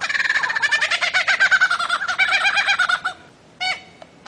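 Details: Bird-of-paradise from Papua: a rapid run of loud, harsh, buzzy notes, about four each second for three seconds, then a short pause and a brief fainter burst of similar notes.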